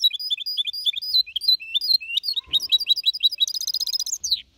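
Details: Young goldfinch hybrid of four and a half months in Malaga-copy style, singing to motivate other birds: a continuous run of varied sliding whistles and chirps ending in a fast, bright metallic trill.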